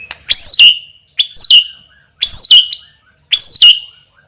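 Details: Loud, strong-voiced champion white-rumped shama repeating one crisp phrase four times, roughly once a second: a bright high whistle stepping down to a lower ringing note, with silent gaps between.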